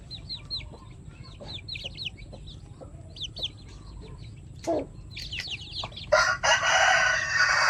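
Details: Pet chickens utter clear, high falling peeps in quick pairs and triplets, followed by a loud rustling, scraping noise that covers the final seconds.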